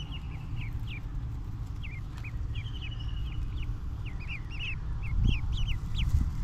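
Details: Small ducklings eating grass and calling as they feed: bright, high cheeps in loose clusters, some rising sharply, with soft thumps and low rumble beneath.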